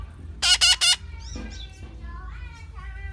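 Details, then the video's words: Hand-raised parrot, hungry, gives three loud, harsh rasping screeches in rapid succession, then fainter whistled and chattering notes over a steady low hum. "Parrot sounds/ parrot hungry"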